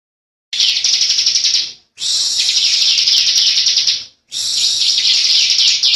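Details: Bar-winged prinia, a young Javan bird, singing in the persistent 'ngebren' style: long, tight, high buzzy rattling trills in three sustained bursts, separated by short pauses.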